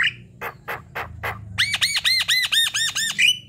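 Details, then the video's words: A Javan myna in full song as a lure for other mynas, in the manggut sambung ngerol panjang style: five spaced harsh rasping notes, then about eight quick arched, ringing whistles in a steady series. "MANGGUT² sambung NGEROL PANJANG ~ Pancingan jalak kebo"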